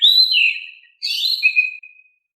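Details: Oriental magpie-robin singing in a soft, mellow style that is meant to draw a reply from lazy birds: two quick phrases, first a bright downward-sliding whistle, then a warbled cluster ending in a long, even tone.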